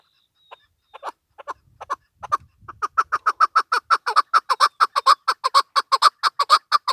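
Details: Female chukar partridge calling: a few scattered harsh notes build into a steady, rapid run of loud chuck notes at roughly two per second, with a brief low rumble near the start.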